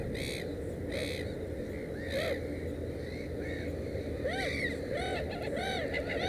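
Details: Black-headed gull at its nest with three chicks gives short, harsh, arched nasal calls in loose bursts about every second, over a steady low rumble of background noise.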